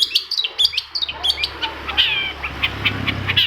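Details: Long-tailed shrike singing as a lure for other shrikes, with quick high chirps and short whistles in a rapid series, then a scratchy warbled phrase and fainter notes over a low hum.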